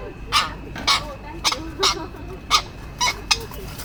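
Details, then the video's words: Male tropicbird fighting to protect its mate and nesting area: sharp, shrill, rasping cries repeated about every half second over a steady background hiss. "male Tropic bird fighting to protect mate and nesting area"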